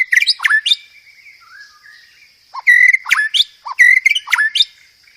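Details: Master recording of white-rumped shama song for cage-bird training, with varied filler phrases: sharp, high, warbled whistles, a soft sliding whistle, then loud bright whistled phrases mixed with low notes.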